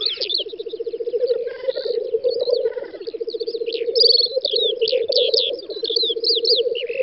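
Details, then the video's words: Spring lek of black grouse on an open field, Volga federal district, Russia, 9-10 May 2019. The birds' throbbing, rolling bubbling continues unbroken while assorted chirps and whistles from small songbirds sound overhead. "Тетерев-косач токует"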